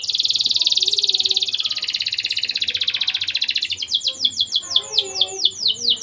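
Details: Prolific singing canary whose song is used to stimulate breeding condition in young birds. A long, fast buzzy trill drifts slightly downward, then slows into separate descending whistled notes.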